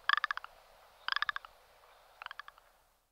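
Rock ptarmigan giving three dry, rattling croaks about a second apart, each a quick burst of six to eight harsh clicks, with no other sounds.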